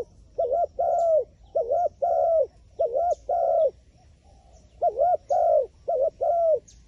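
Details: Wild pigeon, said to be clever and shy of the phone camera, giving a run of soft low coos in paired phrases, a dipping note followed by a longer even one, with a brief pause midway and faint chirps above.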